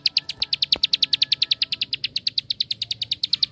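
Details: Bar-winged prinia, 'tembakan' (shooting) song for provoking other prinias to sing: an unbroken string of about twenty sharp, high metallic chips, evenly paced at roughly five per second.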